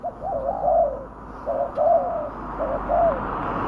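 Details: Spotted dove coos for luring wild doves: soft low drawn notes in slow phrases, partly blurred by steady outdoor hiss.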